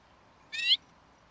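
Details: A single lesser redpoll call recorded at bird-watching hides in Emmen, Netherlands: a brief, harsh, upward-slurred buzz, then silence.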